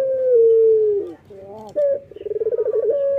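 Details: Male local Barbary dove singing in the morning: the tail of a long, low, falling coo, a few quiet hoots, a short sharp note, then a rapid pulsing purr ending on a level tone.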